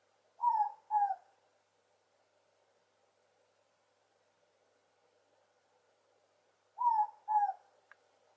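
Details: Ruru (morepork) perched atop a mamaku tree fern at Aongatete, giving its double hoot twice about six seconds apart, each falling pair of notes soft and clear against near silence.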